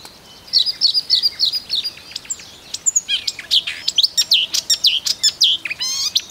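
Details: A marsh warbler in Russia sings a fast, varied run of high chirps, trills and buzzy notes, with quick mimicked phrases tumbling one after another.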